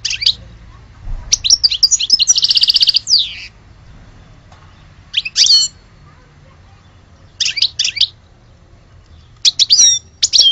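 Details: Algerian European goldfinch song in separate bursts: tinkling twitters with a harsh buzzy trill, then brief high chirp clusters every couple of seconds.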